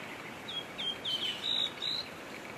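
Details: Pink robin singing: a short run of six thin, high whistled notes, the first four brief and slightly falling, the last two longer and level, against faint background hiss.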